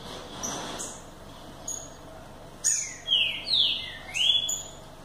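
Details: Green-winged saltator singing: after faint high notes, a run of loud, clear whistled phrases, each sliding sharply down then rising, delivered in quick succession in the final two seconds.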